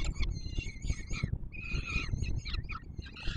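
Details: Peregrine falcon nestlings at the Palace of Culture and Science, Warsaw, Poland, 7 July 2022, being fed and begging: continuous scratchy, high wailing calls overlapping each other, over a steady low rumble of wind or traffic.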